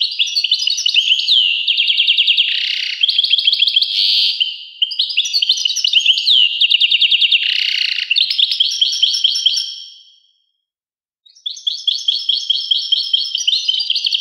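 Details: Long bouts of European goldfinch song: continuous high, liquid chatter with many short slurred notes and tinkling trills, broken by a fading pause before the twittering resumes.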